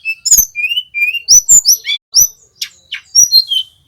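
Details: Young male little pied flycatcher (tledekan gunung) learning to trill, used to tutor other cage birds: short whistled notes rising and falling, interrupted by sharp clicks and a few rasping sounds, about every half second.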